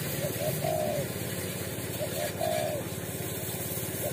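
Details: Brave wild spotted dove from a watering post in Indonesia, during a luring session, cooing twice: short notes then a long falling coo, repeated after about two seconds, over steady vehicle engine noise.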